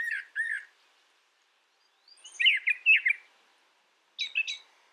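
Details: Song of a brown thrasher: a pair of arched whistled notes, a long gap, then a burst of repeated scratchy upslurred notes and a final short doubled phrase.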